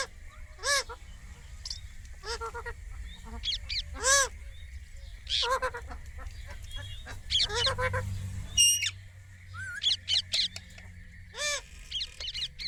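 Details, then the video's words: Indian ringneck parrot calling naturally: repeated loud, harsh, arched screeches, some in quick pairs, over a constant low background rumble and faint hum. "Indian ringneck parrot natural sound"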